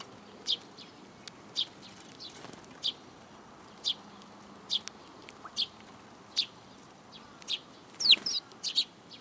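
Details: Sparrows taking food from a hand at a Tenmangu shrine, 7 July 2022; evenly spaced single high chirps about once a second, ending in a louder flurry of sharp calls.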